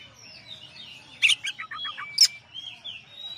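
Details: Champion Oriental magpie-robin in a master song recording: two sharp, explosive chips, each followed by a quick falling run of clear notes, over faint continuous whistles from other birds.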